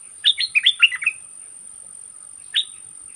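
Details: Red-whiskered bulbul decoy bird calling to lure an aggressive wild bird that came in silently to fight: a quick, lively phrase of about eight bright, liquid whistled notes, then one lone note, over a steady high whine.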